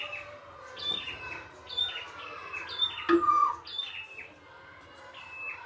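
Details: Red-headed prinia singing in nature: high whistled notes with descending buzzy tails, spaced about a second apart, plus a lower drawn-out whistle and a short click near the middle.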